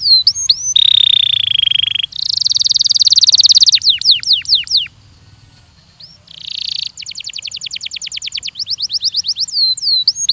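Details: Belgian canary song played for training: a buzzy trill, a dense rapid rattle, a run of sharp down-slurred notes, then a fast even series of upswept notes, separated by a brief pause.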